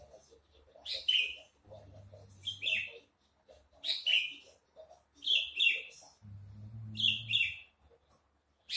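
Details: A captive Javan bush lark sings short, high, buzzy twittering phrases about every one and a half seconds, with a low hum rising twice in the background.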